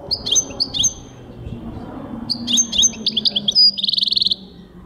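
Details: Goldfinch song from 2023: two short bursts of liquid chirps, a quiet gap, then a longer twittering phrase of varied high notes ending in a rapid buzzy trill.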